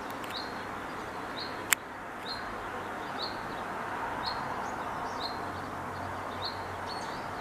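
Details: A male common chaffinch foraging in a tree for food for its female gives short, high chirped notes about once a second over a steady background hiss, with one sharp click.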